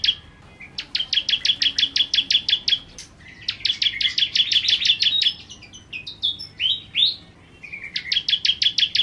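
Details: Energetic bar-winged prinia song, rapid strings of high, clipped chips at a steady quick pace, broken midway by a few thinner rising and falling whistled notes before the chipping resumes.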